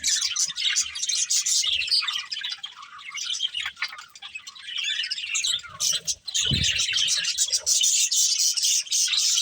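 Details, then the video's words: Budgerigars from a breeding pair chatter while feeding, rapid high chirps repeated about three or four times a second, a quieter stretch midway and a low thud before the chatter resumes. "Beautiful Budgies Chirping Sounds"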